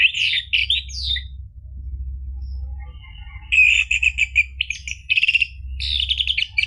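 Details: Orange-headed thrush song for prompting a caged bird to sing: a brief warbled burst, a silent stretch, then a long varied run of whistled and chattering notes over a low background hum.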